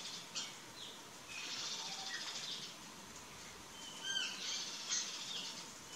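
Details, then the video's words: Plush-crested jays in their courtship phase give short, high chirps and clipped whistled notes, scattered irregularly over a steady hiss of background noise. "GRALHA-PICAÇA fase de namoro (CYANOCORAX CHRYSOPS), PLUSH-CRESTED JAY"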